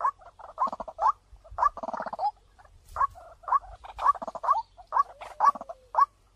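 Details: Decoy call of a white-breasted waterhen: clusters of short, nasal kwak and clucking notes, some rapid chattering runs, spaced irregularly in an otherwise quiet recording.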